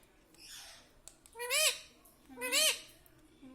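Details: Pet ring-necked parrot indoors, taught to say "mummy" and "papa"; two loud harmonic arched syllables with a speech-like rise and fall, a fainter squawk before them and a soft note at the end.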